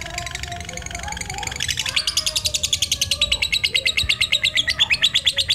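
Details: Black-eyed lutino lovebird singing ngekek, used as a lure to stimulate other lovebirds: a fast, rapid chattering trill of sharp chirps, weaker at first, then louder and steady for several seconds, with faint other bird notes beneath.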